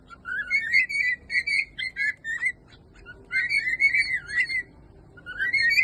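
A cockatiel sings in clear, warbling whistles, sliding up and down in short bursts with brief pauses.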